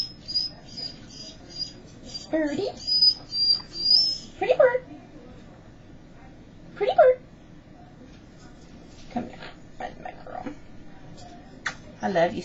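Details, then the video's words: Pet Quaker parrot, a seven-year-old female, sitting on a person's shoulder at home on a Sunday, saying "bird" in brief squeaky spoken syllables separated by quiet pauses; a big dog barks from the next room. "Bird says "bird""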